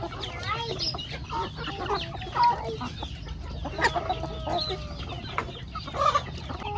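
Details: Chickens feeding on corn in a rustic backyard farmyard, giving a busy mix of short clucks and squawky notes from several birds, with scattered pecking and rustling and a low rumble underneath.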